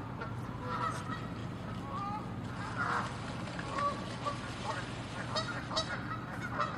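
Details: Angry Canada geese in a territorial fight, with scattered short honks rising out of a dense, noisy background and a constant low hum.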